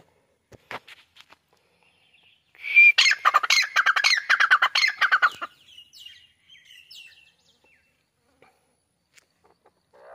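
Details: White francolin calling: after a few faint clicks, a loud three-second burst of harsh, rapid ratcheting notes, rising then tumbling, followed by softer trailing chatters in a quiet setting.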